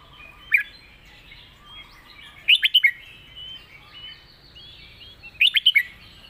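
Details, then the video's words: Contest-trained caged red-whiskered bulbul singing its 'master song' with clear phrasing: a lone note, then two tight bursts of four rapid whistled notes about three seconds apart over quiet background bird calls. "เสียงดี''สำนวนชัด เพลงแม่บท/นกแข่ง#เสียงนกกรงหัวจุก"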